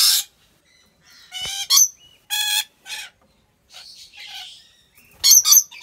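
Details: Captive rainbow lorikeets at a wildlife park in Aceh Besar, Indonesia, giving scattered harsh nasal squawks and short shrill chirps with gaps between them, some calls sharper and higher than others.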